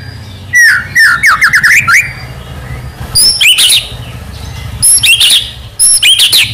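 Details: White-rumped shama tutor song with full fills: broken bursts of quick whistled notes and high thin chips separated by short gaps, over a low steady hum.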